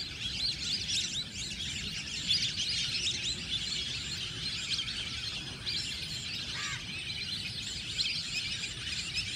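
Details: A flock of lesser whistling ducks in a paddy field keeps up a dense, overlapping chorus of high, thin whistles and chirps, with a faint low rural rumble underneath.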